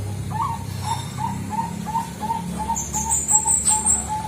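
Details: Bangkok-type zebra dove (perkutut) lure song: evenly spaced short cooing notes, about three per second, with high thin chirps from another bird toward the end and a low background hum.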